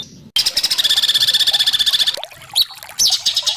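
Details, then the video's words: White-rumped shama training song ('masteran') meant to provoke other shamas into singing: a steady, buzzy trill of rapidly repeated notes for almost two seconds, followed by scattered sharp chips and squeaks. "Masteran burung murai batu terlengkap full tembakan kasar"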